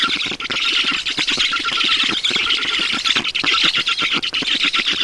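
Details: Black storks at a nest in Estonia during feeding, 10 June 2019, 12:52; continuous harsh, raspy squawks and squeals in rapid pulsing bursts, loud and dense throughout with only brief dips.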